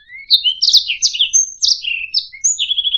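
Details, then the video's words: Short passage of canary song meant to teach other birds: a rising whistle opens, followed by scratchy buzzy notes, a level high whistle, falling slurs and a rapid pulsed trill to finish. "SUARA MASTERAN - Ocehan Burung Kenari"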